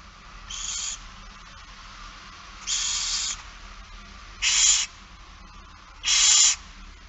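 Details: Barn owl at feeding time on 8 September 2019 around 16:02: four harsh, broad hissing screeches, each under a second long, spaced about one to two seconds apart against a quiet background.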